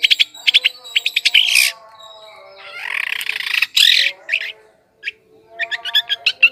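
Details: Long-tailed shrike song meant to lure wild birds: clusters of sharp chirps alternate with longer harsh, noisy rasping bursts and brief pauses, with thin tonal whistles running quietly underneath.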